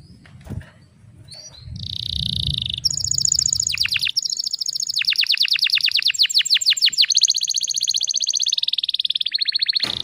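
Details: Female canary sounds meant to spur young males into singing: after a soft rustle, a buzzy note opens into a long chain of rapid trills that change speed and pitch, ending with a sharp click.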